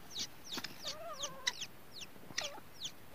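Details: Day-old grey francolin chicks call with sharp, high downslurred cheeps at uneven intervals. Lower, wavering tonal notes run through the middle of the recording.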